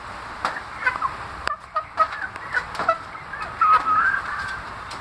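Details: Several caged chicks peeping continuously, thin whistled notes, some sliding up or down, overlapping in an uneven stream with occasional knocks in the background.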